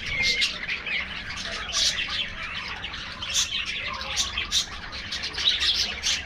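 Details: Aviary budgerigars feeding in the afternoon chatter steadily, mixing short high tweets, squeaky notes and harsher squawks in an unbroken busy stream from several birds.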